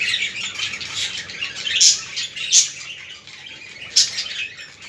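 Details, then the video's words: Budgerigars heard for stimulating budgies: a softer steady warbling chatter with a few sharp, clicky high chirps standing out, fading slightly toward the end. "اصوات طيور الحب البادجي للتحفيز"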